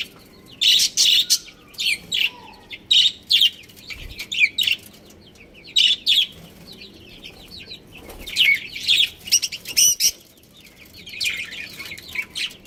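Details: Budgies, a breeding pair, chattering in rapid bursts of sharp, high, scratchy chirps roughly every second, with brief pauses between runs of chirping.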